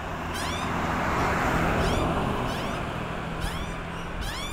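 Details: Baby magpie begging while being fed in a street in Frankston: a few loud rising squawks with harmonics, spaced about a second apart, over constant heavy traffic rumble.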